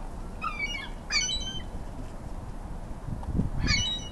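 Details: Ring-billed and Iceland gulls squabble over food in a feeding frenzy. Three short bursts of shrill, slightly falling cries are separated by a quiet gap, with a low thumping noise near the end.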